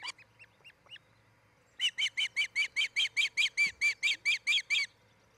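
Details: Nest camera, Charlo, Montana, 07-10-2018, 03:29–04:29, where an osprey couple is nesting: a few soft rising peeps, then a bright string of about thirteen strident chirps repeated several times a second.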